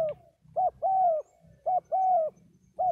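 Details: Vietnamese spotted dove cooing in rhythm, a short clipped note then a longer smoothly falling coo, repeated about once a second over a low rumbling background.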